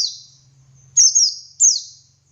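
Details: A dakun white-eye in full ngalas song, used as training material for other white-eyes. Bright, high downward-slurred notes come in quick pairs over a faint low hum.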